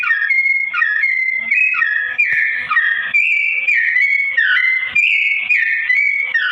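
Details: Sooty-headed bulbul singing a slow-toned, vigorous song: a continuous chain of clear, fluty whistled notes that step up and down between short slurred phrases, with no pauses and a faint low rumble beneath.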